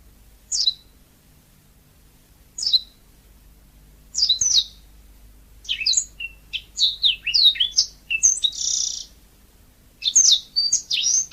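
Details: Yellow-fronted canary in natural song: a few spaced downslurred chirps about two seconds apart build into a rapid, varied warble of whistles, trills and a brief buzzy note, high-pitched and cheerful.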